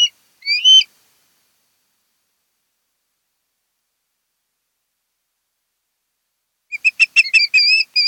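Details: High whistled notes from an osprey at a Kent Island, Maryland nest camera, 08-10-2018. A few slurred chirps open, a long quiet gap follows, then a quick, stuttering burst of sharp whistles.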